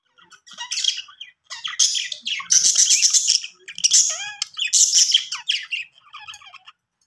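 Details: Budgerigars playing happily, giving bright high chirps and squawky warbling chatter in dense bursts that overlap one another, with short quiet gaps between the runs of calls.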